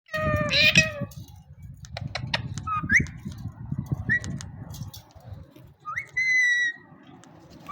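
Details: Male Indian ringneck parrot having fun: a harmonic, voice-like phrase at the start, then short rising chirps and a held squeaky note near the end, over steady low background rumble.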